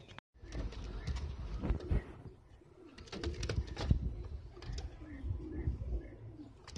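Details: Filo pigeons, a domestic breed, give low, soft rolling coos now and then, half buried under frequent sharp clicks, scuffs and wing-flutter noises from the flock.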